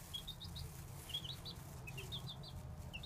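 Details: Baby chicks peeping: faint, high, short chirps in small clusters over a steady low rumble.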